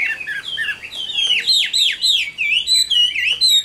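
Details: Loud, clear song of a caged wild-caught adult Chinese hwamei: rapid whistled phrases of steep downward slurs and looping rising notes, repeated in quick bursts with short pauses.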